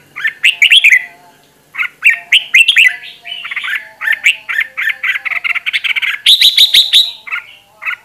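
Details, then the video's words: Red-whiskered bulbul decoy delivering intense training song: a long run of lively whistled phrases, quick repeated notes, then a sustained higher, brighter burst near the end before closing chirps. "Luyện Giọng Chào Mào Mồi - Chào Mào Giàn Đạt Căng Lửa"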